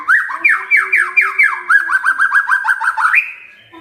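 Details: Medan murai batu (white-rumped shama) song: several rich, descending whistled swoops, then a fast stuttering series of short rising notes ending in a high whistle before fading out.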